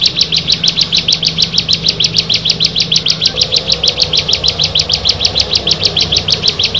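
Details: Bar-winged prinia, one of six birds brought together, repeating short high clicking chirps very regularly, around six per second, over a faint steady low hum.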